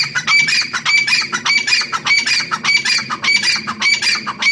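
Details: Female grey francolin, called Irani teetar, calling loudly; harsh, high squawking notes repeated in a steady rhythm, roughly one and a half per second, with no other clear sounds.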